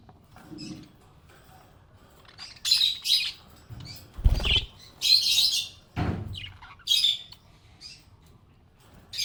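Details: Happy pet budgie chirping in bursts of bright, scratchy high notes separated by pauses, with a few low thumps and knocks in between.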